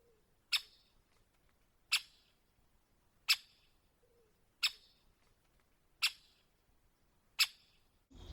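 A great spotted woodpecker gives six sharp, high 'chik' notes, one about every 1.4 seconds, with a brief low rustle at the very end.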